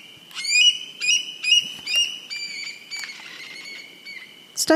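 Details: Eurasian Stone-curlew in England, recorded in the evening as the birds flew over; a rare summer visitor; loud, wailing whistled calls rising then sliding down, about five in quick succession, with a sharper note at the end.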